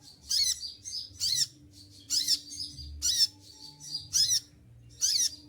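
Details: Olive-backed sunbird in moult, caged, sings on with shrill piercing notes: six quick bursts in five and a half seconds, each a crisp high chatter, with faint low humming underneath.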